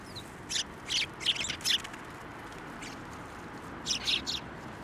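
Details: Sparrows at a Tenmangu shrine on 16 December 2023, flying onto a hand to be fed: two bursts of short, high, sharp chirps, a run of four early on and a quicker group near the end, over quiet outdoor background.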